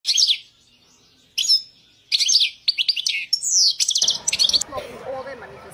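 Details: European goldfinch of the Balkan subspecies carduelis balcanica singing at a world song championship: quick bursts of bright, buzzy, liquid twitters in short phrases with brief pauses, with a rough background noise rising from the fourth second.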